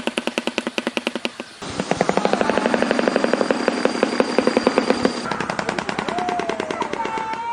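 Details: Shoebill (Balaeniceps rex), bill clattering: used during displays and territorial interactions.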